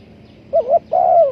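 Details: Spotted dove call used as a trapping lure: two soft coos, a short wavering note then a longer level coo dropping at the end, with faint low background hum.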